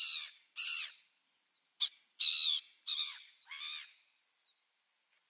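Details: Gulls recorded on 27 December 2017: irregular harsh squawks and one short sharp note, with faint thin whistled notes between the calls.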